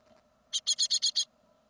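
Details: Great tit fledgling of a second brood leaving the nest, 2016; one loud burst of six evenly spaced, rough hissing rasps lasting under a second.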